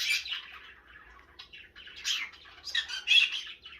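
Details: Pet baby green-cheeked conure chattering: a run of scratchy, buzzy syllables in uneven bursts, loudest near the start and again late in the clip, with a woman repeating that it is a baby bird.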